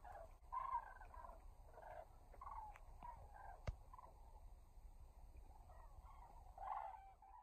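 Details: Common cranes heading to their dusk roost at Embalse de Los Canchales reservoir. Fainter, more scattered trumpeting notes rise in a few separate bursts, with quieter stretches in between and a low rumbling background.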